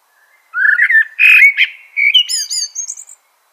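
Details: Single full phrase of common blackbird song: low fluted warbling notes lead into a louder rich burst, then the phrase ends in a string of thin, high, squeaky twitters.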